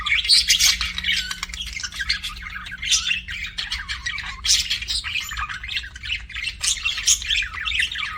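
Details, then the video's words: Pet budgerigars chirping with nonstop scratchy warbling, squawks and high sharp chirps in repeated bursts, steady faint hum underneath. "BUDGIE CHIRPING SOUNDS"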